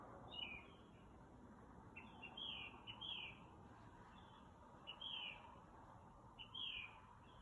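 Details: Night-time bird outside a house around 2 am, singing all kinds of different sounds: short high whistled and slurred phrases in uneven bursts, about six groups in seven seconds, against constant low hum.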